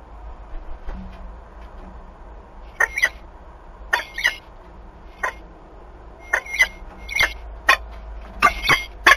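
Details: Wild peregrine falcons, an adult female and a new young male, mating in Wałbrzych, Poland, on 21 March 2022. Harsh, grating bursts come in short clusters, intensifying toward the end, over quiet background noise.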